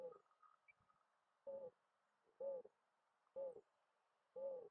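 A mourning dove gives soft, low, hollow coos, each brief and steady in pitch, repeated about once a second in a slow, even series.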